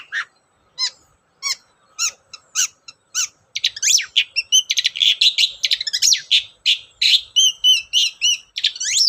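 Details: Long-tailed shrike song used as a lure: a few spaced sharp high notes, then a fast continuous stream of squeaky chirps and downslurred whistles, several per second.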